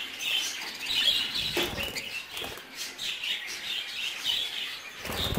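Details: Three-month-old budgerigar chicks, a group of young birds, giving busy overlapping chirps and warbles with occasional flapping wings and scuffling.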